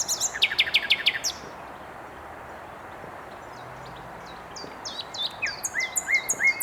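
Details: Nightingale song recorded in Mils on 7/5/21, opening with rapid repeated high chipping notes, falling silent for several seconds, then resuming with quick clipped phrases and a sustained lower whistled note at the close.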